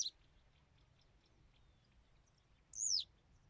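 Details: Western yellow wagtail singing: a single loud, high, thin note slurring steeply downward near the end, after a faint clipped note at the start, with quiet low background noise between.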